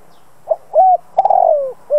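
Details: Spotted dove, a decoy bird cooing to provoke other doves to call: a soft short note, then a steady mid-pitched coo, then a long slurred coo falling at the end, with a further note starting at the close.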